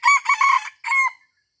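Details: Junglefowl crowing in Aceh at Taman Rusa during luring with a decoy: a long, harsh, broken crow burst followed by a short second phrase, then silence.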